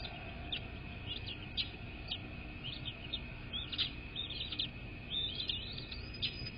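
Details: Bald eagle at its nest, on 10 February 2024 at 06:32: high, thin chittering chirps given in loose bursts throughout, over a steady low broadband hum.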